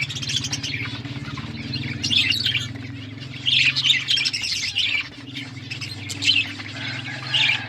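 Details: Budgerigars in an outdoor aviary in a forest environment chatter while eating seeds: scattered bright chirps and warbled phrases over a constant low droning hum.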